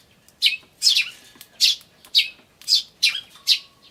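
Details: Eurasian tree sparrows on 10 May 2013 give harsh, high chirps, about seven in four seconds at an uneven pace: chicks' "chi chi" begging mixed with adults' "jyujyujyu" and "chun" calls.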